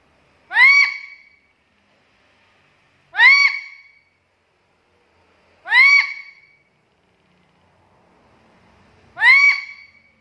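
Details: Black-capped lory in a chatty training and lure recording for other lories. Four loud, shrill, rising squawks come at steady intervals of roughly three seconds, with silence between them.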